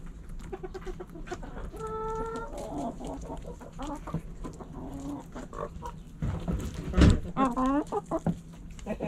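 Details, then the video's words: Backyard chickens give a drawn-out tonal call, scattered clucks and a later run of quick rising squawks, with thumps and a constant low hum throughout. "Backyard Chickens Fun Relaxing Video Sounds Noises ASMR Hens Clucking Roosters Crowing!"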